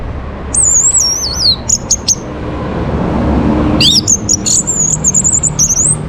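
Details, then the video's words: Orange-headed thrush, kept bird in northern Bali, morning song used to bring birds into breeding condition: high whistled phrases, wavering slurred notes and sharp stacked chips, with low background rumble. "Naikan Birahi ANIS MERAH pancingan PAGI HARI Ini efektif supaya Burung jadi gacor & Teler"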